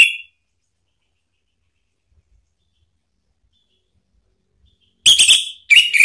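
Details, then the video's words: Orange-headed thrush lure song for provoking a rival into singing: after a long silence, two short bursts of sharp, wavering whistles, each under a second, with no background sounds. "isian TAJAM !!! bikin ANIS MERAH EMOSI NYAUT NGEPLONG ¦ PANCINGAN AM ¦ TERAPI MACET"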